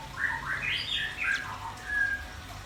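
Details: White-rumped shama and red-billed nuthatch in full voice. A fluid warbled whistling phrase climbs and dips, followed by a single steady whistle against quiet background hiss.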